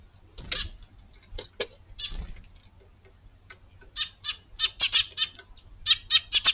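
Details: Eurasian tree sparrows, an early-morning family group visiting a garden on 24 February, giving varied calls beyond the usual chirp: bursts of sharp, buzzy chirps, scattered at first, then a rapid run of loud chirps in close series.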